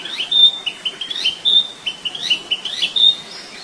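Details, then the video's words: Rapid, varied string of high whistled and chirped notes from a wild flycatcher, flowing almost continuously for three and a half seconds. "Burung sikatan di alam liar"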